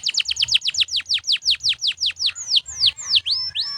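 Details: Canary song meant for training other birds: a rapid series of sharp downward-slurred whistled notes, about four per second, slowing into longer sweeping whistles at the end.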